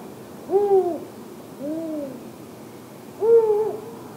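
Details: An Arabian eagle-owl (Bubo milesi) chick in Tanomah governorate gives three drawn-out, arched, slightly wavering mid-pitched calls about a second and a half apart against a quiet background.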